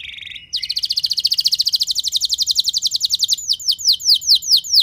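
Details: Canary lure song, loud and long, aimed at prompting other canaries to sing: a short low note, then an extended rapid metallic trill shifting into slower hooked whistles.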